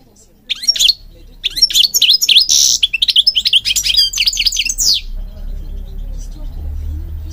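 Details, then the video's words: Goldfinch singing, a bird used for training, a species that breeds across Morocco including public gardens: a rapid run of bright twittering notes with buzzy trills and sharp rising whistles, then a fading tail of quieter low hum. "Singing Goldfinch King goldfinch singing"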